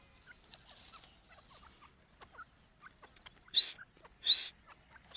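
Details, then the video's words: Partridge calls used as a hunting lure: quiet low chatter for the first half, then three loud, harsh calls, each with a sharp rising whistled note, spaced under a second apart near the end. "dakhni teetar ki awaz"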